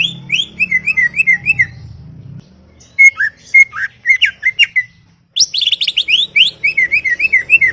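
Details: Chattering greater green leafbird in a garden: bubbly runs of wavering whistled notes, pure whistles mixed with slurred chips, and a dense burst of high rising notes near the end.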